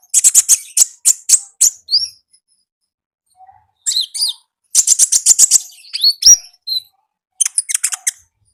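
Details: Konin singing in an energetic wild-style 'gacor ngalas' manner, from the wild: bursts of rapid high chirps in quick trills, broken by short pauses, with a few sweeping whistled notes between phrases.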